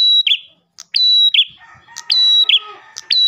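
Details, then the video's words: Ash tailorbird song meant to draw in other tailorbirds: clipped high whistles ending in buzzy drops, repeated rapidly, with faint lower warbling from another source in the background. "PRENJAK GACOR pancingan burung prenjak lain"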